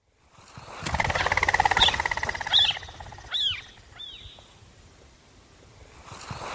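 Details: Common quail calling, a few sharp arched notes in quick succession over a steady buzzing hum in an open rural setting.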